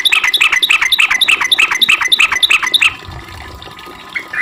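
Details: Sooty-headed bulbul in a long rapid 'ropel' song, used as a lure to make other bulbuls reply; bright chirped notes repeated about three times a second for three seconds, then stopping.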